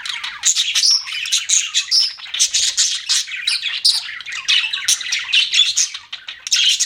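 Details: Budgies kept as pets give nonstop chirping, a busy mix of squeaky tweets, harsh buzzy notes and quick warbled phrases pulsing in short bursts.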